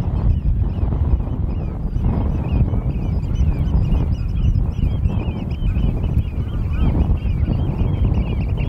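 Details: Several European golden plovers at Norddorf, Amrum, 8 April 2022, 16:50, giving rapid overlapping whistles that rise and fall, forming a near-continuous chatter, with loud wind buffeting throughout.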